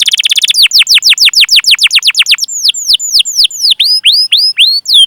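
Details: Canary song used as a training lure for young, untrained or non-singing canaries: a fast buzzy trill, then a long series of loud, sharply falling whistled 'cuit' notes repeated about four per second, with later notes hooking upward.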